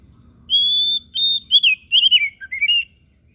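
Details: Oriental magpie-robin singing: a long, pure, steady whistled note, then a short whistle and a run of quick, warbling, slurred notes sliding downward, ending in two brief whistles. Only a faint low hum sits underneath.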